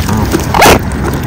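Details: A male mute swan (cob), one of a pair feeding on seeds on February 5, 2023, gives one short, breathy hiss, a rough rush of air lasting about a fifth of a second, over a low background rumble.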